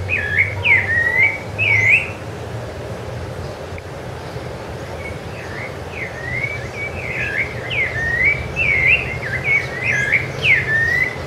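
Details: Rufous-bellied thrush (sabiá-laranjeira) singing at Ilha do Governador in January 2013: clear, slurred whistled phrases with rising and falling notes, delivered in short bursts with brief pauses, over a low steady hum of distant traffic.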